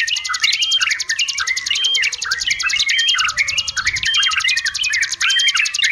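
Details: Sooty-headed bulbul singing noisily, used as a training recording for young birds: short warbled, liquid phrases in the middle register, repeated about once a second, over a steady high rapid buzzing trill from other birds.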